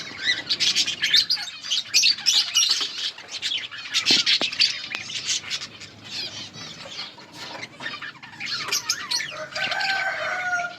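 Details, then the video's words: Budgerigars eating in their colony, a busy chorus of overlapping high chirps and scratchy chatter, with a few squawk-like notes and some clearer whistled tones toward the end. "Budgies birds eating and enjoying in budgies colony budgies parrot chirping sounds"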